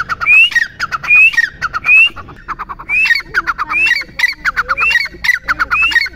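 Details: Grey francolin repeating its call: upslurred whistles wrapped in fast rattling clicks, about every 0.8 seconds, with a brief break after the third phrase before the series resumes.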